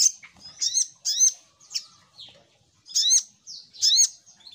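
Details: Little spiderhunter lure call: sharp, high chirps with falling down-swept notes, given in short clusters about once a second, with brief quiet gaps between bursts.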